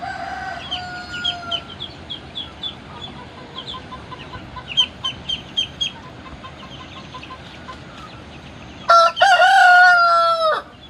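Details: A Shamo/Assel fighting rooster gives a short, hoarse, harmonic crow near the end, after a run of quick, high chirps repeated several times a second.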